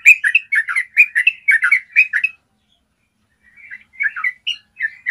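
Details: Yellow-vented bulbul in a clear, long-trill recording for training caged birds: about two seconds of rapid, bubbly paired notes, a second of silence, then softer chirps building back into loud, rounded phrases.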